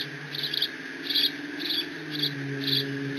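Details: Young bald eagle, alone in the Decorah nest on 30 June 2017, squeeing while mantling a fish its father just delivered, caught by a live nest cam: short high thin squeals in irregular bursts of about five, over steady insect-like hiss and low hum.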